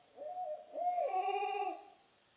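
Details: Barred owls give loud, strange, wavering, nasal hoots in two rising-and-falling bursts over about two seconds, with a strained, almost bleating quality.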